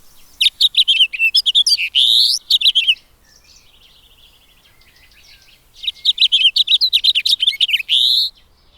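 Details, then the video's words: Finch singing two bright phrases of rapid, distinct high notes, each lasting about two and a half seconds, separated by a short quiet pause; the second phrase echoes the first. "That's a finch. Smooth, melodic, flowing."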